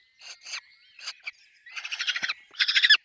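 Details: Peregrine falcon nest with chicks: a few soft scratchy notes over a thin steady whistle give way to two louder, rapidly pulsed rasping cries.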